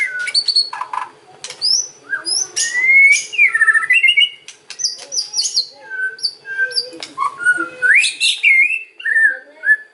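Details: Kretekan and ocean song of a white-rumped shama, used to draw other shamas to reply: varied rich phrases of clicks, rising and falling whistles and high sweeps, with short pauses between bursts.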